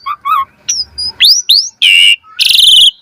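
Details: Asian pied starling song meant for training birds to sing, a mix of short wavering notes, rising whistles, and two loud harsh buzzy bursts near the end, close and clear.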